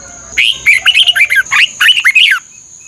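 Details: Thai red-whiskered bulbul song used for training caged birds: a two-second burst of lively, liquid whistled notes rising and falling in quick succession, over a constant high-pitched hum.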